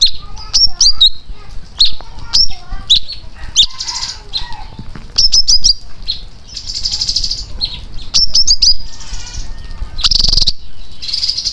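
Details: Wild Chinese greenfinch from Dak Lak, Vietnam, singing in the liếu style: sharp high chirps and twitters, repeated buzzy wheezing notes, wing-flutter sounds and steady low background rumble.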